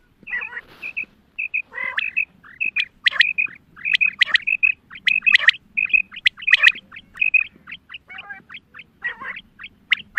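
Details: Female quail giving hunting calls: bright paired whistles repeated many times, broken by rasping broadband bursts and brief chirps, several birds calling at once over a faint low hum.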